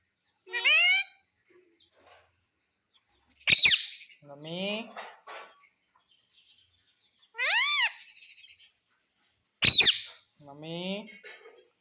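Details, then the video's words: Pet ringneck parakeet known for saying mummy and papa; loud, sharply arching high utterances come at intervals, each answered by a person's softer, lower speech, with clicks between. "मम्मी पापा बोलने वाला मिट्ठू || Ringneck talking parrot mitthu"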